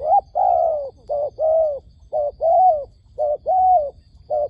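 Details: A decoy dove used to lure wild doves into a trap coos in pairs. A short note is followed by a longer, drawn-out, slightly arched coo, and the pair repeats about every 1.2 seconds, four times over. A faint insect hum runs underneath.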